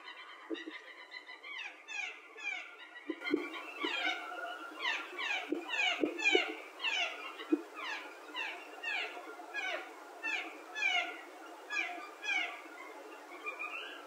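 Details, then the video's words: A small flock of blue jays calling in spruce trees on a September morning: many overlapping scratchy, down-slurred notes tumble together about twice a second, with a few soft knocks in the background. "Blue Jays - Strange sounds"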